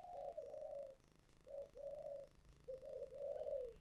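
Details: Thổ sấm-voiced spotted dove giving thúc gù coos, recorded faintly. Three groups of low, drawn-out coos, each with a short note and a longer wavering one, sit under a steady hiss of background noise.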